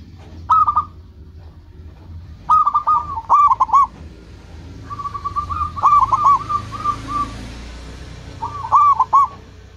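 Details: Zebra dove of local stock singing to attract rivals and call companions: four separate phrases of quick, bubbling, stuttered coos, one stretched into a longer rolling trill, over a steady low background hum.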